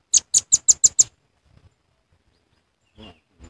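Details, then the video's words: Trapping lure call of the velvet-fronted nuthatch: six rapid, thin, very high-pitched ticks in about one second, followed by quiet with faint low thumps. "Suara Pikat Rambatan Paruh Merah"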